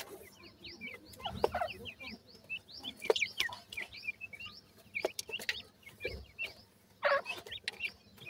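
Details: White francolin chicks kept in captivity, calling at feeding time: many bright, rising chirps in quick irregular bursts, several birds at once, mixed with occasional sharp taps and low murmuring clucks.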